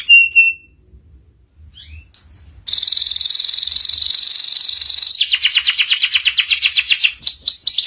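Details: Canary tutor song for young birds, ngeriwik style: short whistled notes and a rising slur, then a very fast steady buzzing trill shifting into a slower pulsed trill with quick sweeps.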